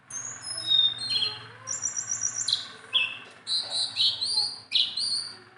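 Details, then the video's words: Sunda bulbul, tame and a constant singer, delivers a varied string of high whistles: quick trilled notes, then several loud, clear downward-slurred phrases repeated at roughly one-second intervals. "BURUNG JONGKANGAN GACOR TELER JINAK PETETAN"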